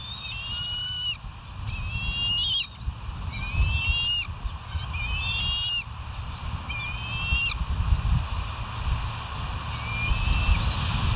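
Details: West End bald eagles on a live cam, early morning of 07/05/2023: a run of six shrill, slightly bending whistled notes spaced about a second apart, then quieter, under steady low wind-like rumble.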